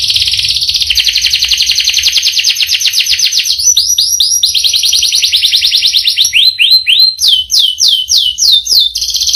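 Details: Canary with a long rolling song that changes section by section: a buzzy high trill, rapid repeated falling notes, then slower, well-spaced rising whistled notes near the end.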